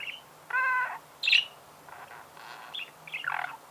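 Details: Budgerigar song fragment: a short harmonic buzzy note, a sharp high squeak, then softer scratchy chatter notes in a quiet room.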